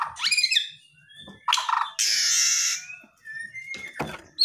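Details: White-rumped shama in an agitated aggressive display to rouse a silent shama: an upward-sweeping whistle, then loud harsh broadband rasps and hissing bursts, with a thin sustained whistle and a few clicks.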